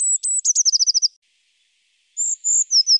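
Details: Eurasian blue tit (Cyanistes caeruleus) song: two thin, high introductory notes, then a fast silvery trill, and after a pause a few more high whistled notes.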